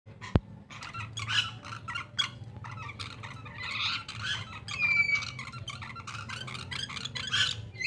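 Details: A pair of Taliabo lories, kept as a pair, give a run of harsh, squawking calls in quick bursts with a few thin whistled notes, over a steady low hum.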